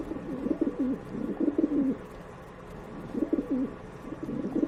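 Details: Pigeon cooing: a low, gurgling, rolling phrase of several throaty notes, a pause, then two more short coo bursts, in a quiet setting.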